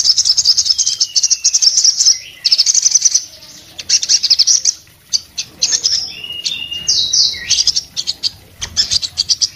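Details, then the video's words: Singing orange-headed thrush in breeding condition, beak open, a song credited with rousing other orange-headed thrushes. High trills alternating with sharp separated clicks, a falling whistle early and slurred double whistles later. "sogon gacor nembak buka paruh bikin SOGON lainnya jadi bunyi"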